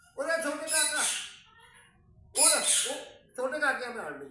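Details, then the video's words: A parrot mimics speech in three raspy, nasal phrases, each about a second long, with quiet gaps between them. "Mithu Miyan ki khubsorat batin"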